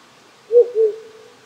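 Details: Wild owl in rural Japan at night, in cold weather with insects and frogs nearly silent. It gives a quick two-note hoot, low and hollow, with the second note softer and trailing, and a stream hissing faintly.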